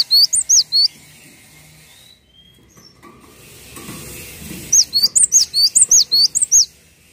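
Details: Cinereous tit (gelatik watu) singing steadily for a tutor recording: a short phrase of high, sharp whistles, a pause with faint thin notes and low murmuring noise, then a longer rapid series of ringing two-part whistles.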